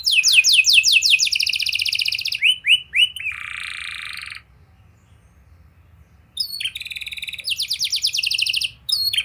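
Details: Canary singing energetically, meant to coax young canaries into song. Rapid high trills slide into repeated falling notes and a sustained buzzy phrase, then about two seconds of silence before fast rolling trills resume. A low hum lies beneath.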